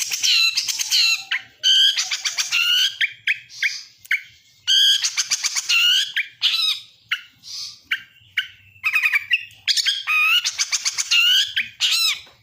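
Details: Energetic lacer bird lure song: loud ringing whistled phrases alternating with rapid stuttering trills and sharp rising notes, delivered in dense bursts with brief gaps, clean background.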